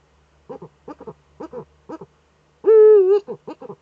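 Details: Female Eurasian eagle-owl scratching in her nest niche, filmed by a nest webcam in northern Rhineland-Palatinate, Germany, on 5 May 2013. Short paired, harmonic barking notes repeat about every half second, followed by one longer, steady, wavering tonal note and more quick notes.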